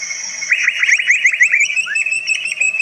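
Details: Cucak ijo, the greater green leafbird, delivering a rapid stream of rising, slurred whistles in a fast jumbled chatter. Its song is said to hold many voices and to stir other birds.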